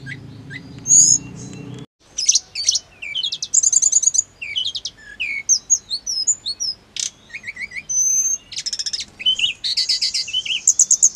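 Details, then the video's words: Hill blue flycatcher singing to make caged birds reply fast and excitedly: after a brief low rumble at the start, a long run of high chattering phrases, trills and whistled slurs with short gaps. "TERAMPUH BIKIN TLEDEKAN GUNUNG CEPAT NYAUT EMOSI"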